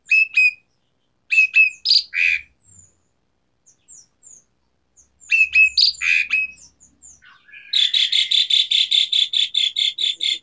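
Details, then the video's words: Asian pied starling singing 'gacor' with varied fill notes: harsh squawky phrases in two bouts separated by pauses, ending in a long fast series of evenly repeated buzzy, rattling notes. "Pancingan Jalak Suren Gacor Variasi Isian Tembakan | Masteran Suara Burung Jalak Macet Bunyi"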